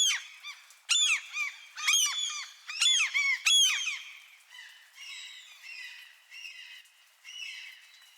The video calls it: Seagulls Squawking in Light Rain